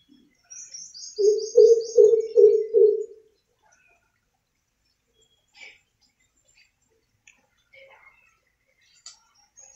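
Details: Greater coucal (crow pheasant, Centropus sinensis) calling amid city noise: a run of about six deep, hollow hoots at an even, quick pace, with a high twittering bird at the start and faint background noise.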